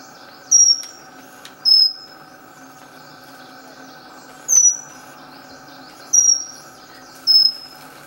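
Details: Pygmy wren-babbler, a tiny babbler that runs mouse-like on forest floor, repeating loud, high, thin whistled notes with a slight downward slide, five in eight seconds at uneven spacing, against a quiet low hum.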